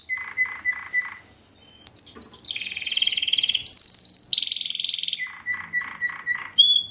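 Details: Fast, metallic, strong Timbrado Español canary from 2013, singing in classico style: clusters of lower pulsed notes, a brief pause, then loud dense rolling trills at two pitches, closing with more pulsed note groups.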